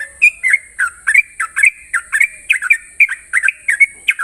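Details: In the morning, a yellow-vented bulbul pours out a fast, bubbly run of rich chirping notes, several per second, over a steady high insect-like hiss.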